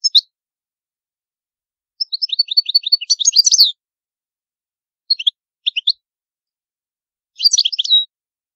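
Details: European goldfinch in the old Palermo style from Sicily, a recording for tutoring young finches: a run of evenly spaced descending chirps leading into a dense twittered flourish, a few isolated notes, then a closing trill.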